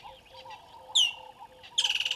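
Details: A Water thick-knee at Gowrie dam waterhole, Djuma Game Reserve, Sabi Sand, South Africa, around 09:09 on 25 December 2021 with waterbucks present, gives a sharp downslurred note then a rapid run of about a dozen high, clipped whistles, over faint bird calls.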